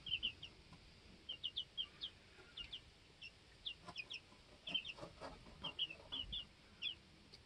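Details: Young chickens at two weeks old on a homestead, learning to fly and challenging one another; paired high peeps recur every second or so, with light clicks and scratches in the coop.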